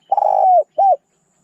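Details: Spotted dove giving a fragment of its song: a long, slightly rolling, mellow coo that drops at the end, followed by one short arched coo.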